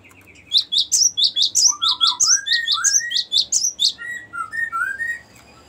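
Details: Cinereous tit long rolling song, called ngerol panjang, used to lure wild birds and as a tutor song: a rapid run of high sharp chirps layered over lower slurred whistles rising in pitch, about fifteen notes, with faint background hum.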